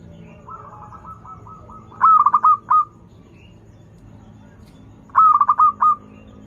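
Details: Song of a local zebra dove, used to coax birds that are learning to sing: a soft purring trill, then a loud rolling phrase of clipped pulses, repeated three seconds later, over a low background hum.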